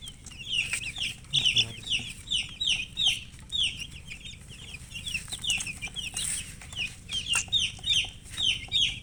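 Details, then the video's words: Chicken, described as a colour hen, giving a fast run of short high chirps in steady bursts, each a bright downward-slurred peep, continuing through the recording with a low background hum. "silly chicken chirping sounds with murgi hen color chicken"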